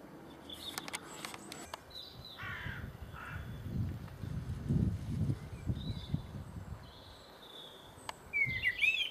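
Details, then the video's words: A blackbird mimicking a phone: scattered high whistled and chirping phrases, ending in a bright warbling burst that imitates a phone sound, over a low rumble of wind or distant traffic. "Blackbird making phone sound"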